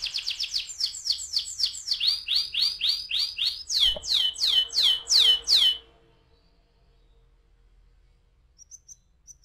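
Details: Canary lure song for prompting other canaries to roll: rapid repeated whistled notes slowing into loud descending sweeps, then near silence with a few faint high chirps at the end.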